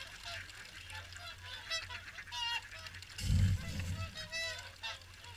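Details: Morning feed at WWT Caerlaverock, with many swans calling at once: dense, harmonic honking notes layered over one another, interrupted by a loud low thud a little past halfway.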